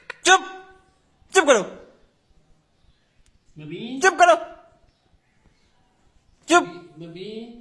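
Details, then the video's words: A pet green Indian ringneck parakeet talks in four short, nasal, voice-like bursts spread over about seven seconds, with quiet pauses between phrases. "talking parrot"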